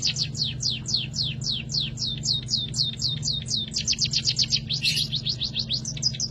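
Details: Munia, a small rice-eating bird, giving canary-like song: rapid high downslurred notes repeated several times a second, speeding into a dense run near the end, with a constant low humming background.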